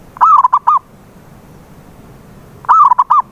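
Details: Two clear phrases from a local zebra dove, a lure to coax a silent bird into song: each opens with a sliding coo and breaks into three or four clipped notes, quiet pause between.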